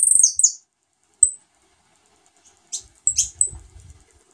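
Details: A saffron finch gives food to a fresh brood of nestlings: a quick pair of sharp, falling high squeaks, a lone peep, then clustered shrill notes over soft low rustling.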